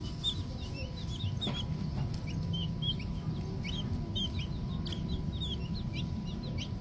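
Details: Young green junglefowl chicks, still small, giving many short high-pitched peeps, some rising and some falling, in quick irregular series over a steady low rumbling background.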